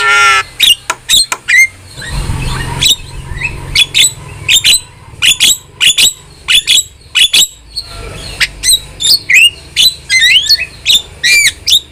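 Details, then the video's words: Starling singing vigorously, a varied string of sharp clicks, short whistles and rising squeaky notes in quick bursts, with brief low rumbling noise in the background between phrases. "OCEHAN JALAK GACOR | Masteran Dan Pancingan Yang Cocok Untuk Burung Jalak Anda"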